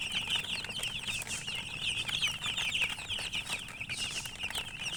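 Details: Baby chicks give a steady stream of shrill, quick peeps, many birds calling at once in an unbroken, twittering chorus.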